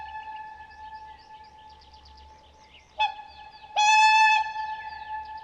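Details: Wild whooper swans, a steady droning chorus of distant calls broken by two louder, brassy honks, the second drawn out, with softer twittering calls in the background.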